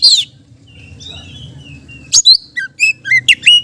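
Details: Oriental magpie-robin, song used as a lure for other magpie-robins: a faint thin whistle after a short high note, then a burst of sharp chips and descending whistled notes near the end.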